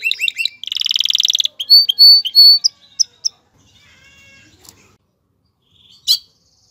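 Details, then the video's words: Singing male canary stimulating a female toward mating and nest building: a brief fast trill, a dense buzzy roll, then a few drawn-out high whistles and isolated chips before near silence. "اقوى تغريد ذكر الكناري لتجهيز انثى الكناري للتزاوج و تحفّزها على بناء العش"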